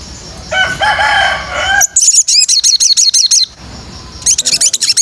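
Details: White-rumped shama song for training: a lower harsh, buzzy phrase gives way to fast runs of sharp, high, slurred chips delivered in rapid bursts.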